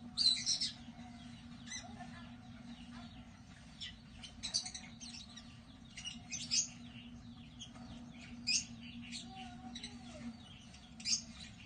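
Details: Breeding lovebirds (Agapornis) giving high, shrill chirping bursts in short clusters every one to two seconds, with quieter twittering between and a steady low hum underneath.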